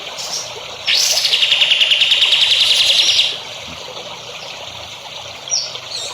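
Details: Songbird song used as a training recording for young songbirds: an upward-swept start leads into a long, buzzy, high trill of rapid pulses lasting over two seconds, then faint chips.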